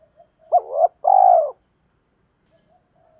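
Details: Spotted dove calling as a decoy to draw wild birds and challenge rivals: a two-part low coo, hooked then long and steady, followed by quiet soft notes.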